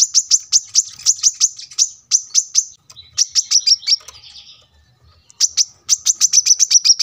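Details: High-pitched chattering from a brown-throated sunbird, taped near a road for teaching captive birds. Rapid bursts of sharp ticking notes break off briefly, then resume with a quick string of chips at the end.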